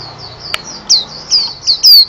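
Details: White-eye, a national champion songbird, delivering a brief burst of very high, thin whistled notes with a few sharp loud accents and a click.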